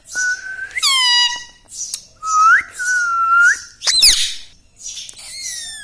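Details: ['Talking pet parrot indoors giving clear, sustained whistles that step up and then glide down, several drawn-out notes in a row, broken by one harsh, noisy squawk.']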